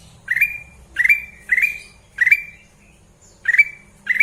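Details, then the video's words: Sooty-headed bulbul, kept bird, uttering short upslurred whistled calls in quick succession, six within four seconds, with a brief pause midway and a faint low hum. "Burung kutilang emas"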